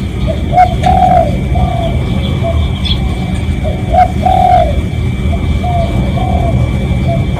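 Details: Real spotted dove calling as a lure for other doves: a series of mellow hooting coos, louder drawn phrases near one and four seconds and softer notes between, over low rumbling noise.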